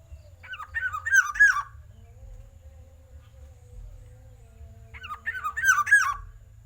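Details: Black-naped oriole with a loud voice sings two separate bursts of looping, fluty whistled notes, about four seconds apart, against a faint steady tone and low rumble.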